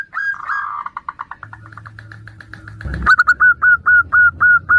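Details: Local female zebra dove calling the male, answered by other doves, used as a lure: a run of short, rapid cooing pulses, then after a thump, clear whistled notes repeated about four times a second.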